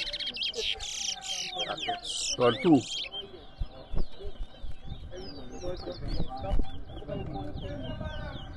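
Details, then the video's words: Chestnut-bellied seed finch, called towa towa, singing in a bird competition at Rosignol, Berbice, Guyana. Loud knocks and clatter open, then a quick run of high, sweet warbled whistles and twitters continues while people talk. "TOWA TOWA BIRD COMPETITION"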